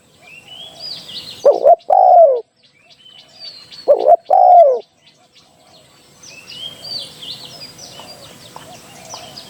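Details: Spotted dove decoy call for trapping: two phrases of a short rolled note plus a long falling coo, followed by several seconds of faint chirping and twittering from other birds and soft outdoor background.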